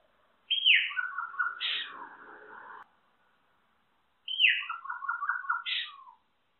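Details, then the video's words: Solitary cacique singing: two matching phrases about three and a half seconds apart, each opening with a bright downslurred whistle and then a run of quick nasal chattering notes with a higher squeal. "Boyero Negro Canto! Llamado! Sonido! Cantando - Solitary Cacique Song"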